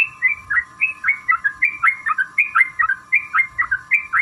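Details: Sooty-headed bulbul song played to provoke other birds to sing: bright, bubbly whistled notes repeated about twice a second in a steady flowing stream, over a faint constant low hum.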